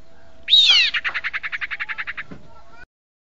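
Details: Sirpu bird lure call: a high whistled note sliding downward, then a fast rattle of about fifteen chipping notes, roughly eight a second, over a steady faint hum.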